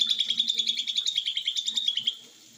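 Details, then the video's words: Mini green leafbird singing in the rapid konslet style; a fast, buzzy trill of evenly repeated high notes, roughly eight per second, lasting about two seconds before fading to quiet room noise. "ijo mini Konslet"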